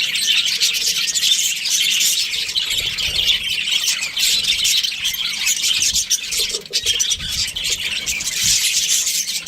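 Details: Breeding pair of Australian budgies giving a steady flow of high, scratchy chirps and warbles with harsher squawks mixed in, chatter running without pause.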